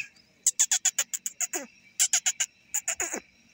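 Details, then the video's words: Rose-ringed parakeets, a male, female and baby, happy in the morning: bursts of sharp, high chirping notes in quick rapid runs of five to eight, separated by short pauses. "green parrot male female and baby parrot happy at Morning talking"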